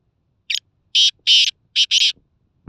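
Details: A Khushab black francolin calls once. A brief scratchy note leads into two long rasping notes, then after a pause a clipped note runs straight into a final long one. A soft knock closes the phrase.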